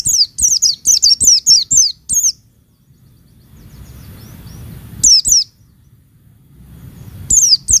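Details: Oriental white-eye female call to excite males: a fast run of about eight high, wavering, descending chirps, silence with faint rumble, then short pairs of the same thin notes.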